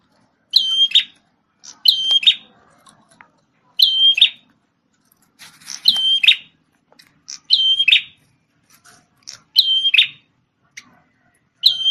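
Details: Prinia described as red-headed and lively, singing loud clear high phrases of a sharp whistle followed by a buzzy trill, repeated irregularly every one to two seconds, with some fainter chirps between phrases.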